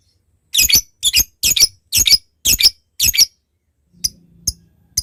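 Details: Lovebird calling a rival: six harsh, high squeaky chirps in quick succession, then faint ticking notes with a low hum.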